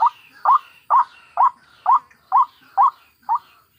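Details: Ngekek calling of White-breasted waterhen, recorded from wild adults and chicks for luring birds: clipped nasal notes repeated roughly twice a second over a soft higher background wash.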